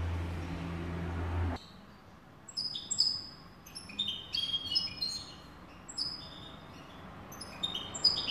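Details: A European goldfinch tutor bird sings a clean, rapid, liquid twitter of bright, high tinkling notes and short trills. A low mechanical hum sounds briefly at the start.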